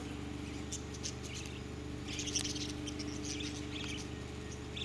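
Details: Many wild juvenile budgerigars, unusually curious and unafraid, visit a camp at Woodline, Western Australia, in November 2011, chattering in soft scattered chirps and twitters over a steady low mechanical hum.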